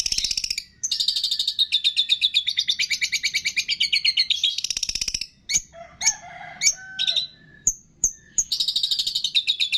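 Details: Training recording of a long-tailed shrike whose song carries mimicked cililin, fighting sparrow, lovebird, tengkek and kapas tembak. Long bursts of rapid high trills broken by sharp single chips and a lower, rasping chattered phrase midway.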